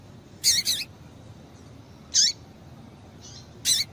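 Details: A female double-collared seedeater gives call notes meant to stimulate the male's song: a quick doubled chip, then single sharp high chirps with downward-sliding ends at uneven intervals, over quiet hiss.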